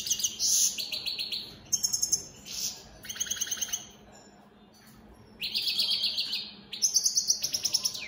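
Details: Song of a caged European goldfinch, opal split satiné mutation: loud tinkling twitters and crisp buzzy trills in clustered phrases, a quiet pause midway, then renewed rapid chattering notes.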